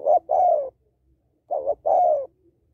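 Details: Two close cooing phrases from a female spotted dove calling to stimulate males, each a short note pair and then a sustained, slightly downward coo.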